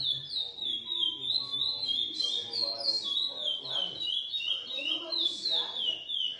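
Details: Bred in captivity from GP and Coimbra lineages, a Lesser seed finch pours out fast, rhythmic whistled notes, each slurring downward, with an occasional brighter high note and quiet background chatter.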